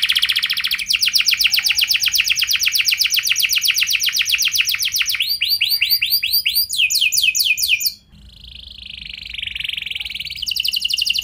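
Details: Lure song from a canary in the cengkok mewah style, played to set other canaries singing: a long, fast rolling trill for several seconds, bursts of quick arched syllables, a brief gap, a softer buzzy note, then the trill resumes.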